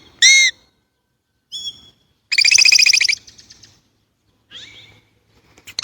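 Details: Chinese blackbird calling sparsely: a loud ringing note, a thin whistle, a short dense buzzy rattle, and a soft downslurred chirp, separated by clear silences; a faint low hum underneath.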